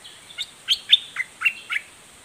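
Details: Red-whiskered bulbul giving a fierce, lively 'doubled' song: six short, loud whistled notes at uneven spacing, some sliding downward, over quiet background hiss.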